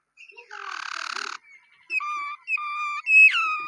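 A Waterslager canary sings a dense, bubbling rolled trill, then a run of clear, repeated whistled notes ending in a falling slur.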